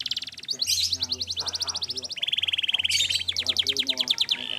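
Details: Canary singing as a training recording: continuous fast trills at several pitches, each tour of rapidly repeated notes switching to another, with a faint low hum beneath.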